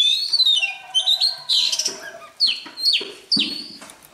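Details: Oriental magpie-robin warming up its voice with morning song. Clear whistles slide from high to lower pitch, then a series of sharp downslurred notes repeats about every half second. A faint low hum sits beneath.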